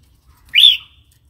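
A single bright, whistled bulbul note that swoops upward and then holds briefly. It is clear against a quiet background with only a faint low rumble.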